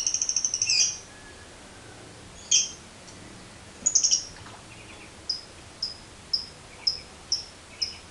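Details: Lovebird, a caged bird used as a training lure: a short rattle, scattered harsh high squeaks, then a row of clipped piercing chirps about two per second.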